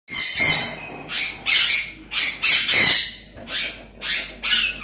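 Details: Pet African grey parrot talking: about eight harsh, breathy, broadband bursts in quick, uneven succession over five seconds. The sounds are loud and close, with short gaps between them.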